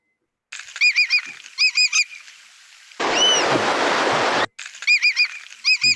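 Willet giving loud, ringing three-note calls in quick bursts about once a second; a harsh rushing noise interrupts midway.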